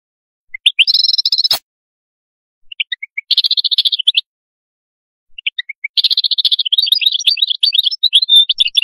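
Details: Atlantic canary performing qadous song: fast, high rolling trills introduced by a few separate rising chirps, with short pauses, then a longer continuous trill that shifts into varied warbling notes. A sharp click is heard early on.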